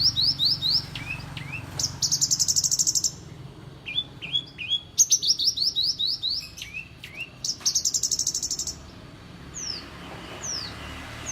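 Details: Horsfield's bush lark, a songbird praised as a skilled mimic of birds such as prenjak, ciblek and sparrows, sings a champion-style song of fast downslurred whistles, high buzzy trills and sharp chirps in varied bursts over a low steady hum.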